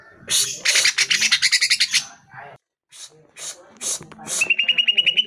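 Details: Greater green leafbird song, played to prompt caged birds into answering and singing: a rapid series of scratchy high chirps, a brief pause, then harsh bursts and a thin rising whistled trill at the end.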